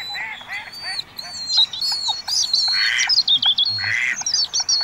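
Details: Shrill, thin whistles from a pair of common kingfishers searching for a nest site, rapid and overlapping, with lower harsh squawking notes mixed through.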